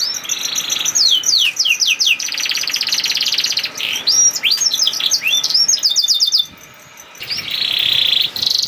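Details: Canary 'nembak' song, played to make other canaries sing: a varied run of fast trills, sweeping whistles and buzzy notes, a short near-silent pause, then a dense high buzzing trill.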